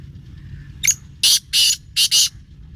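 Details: Single harsh phrase from a black francolin: a short scratchy lead-in followed by four loud, rasping, broadband notes in quick succession over a faint low background hum.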